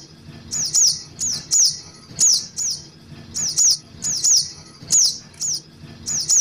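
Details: Lure call of young little spiderhunters for attracting birds: high, thin downslurred chirps, often paired, repeated steadily about every half second to second, with a faint low hum beneath.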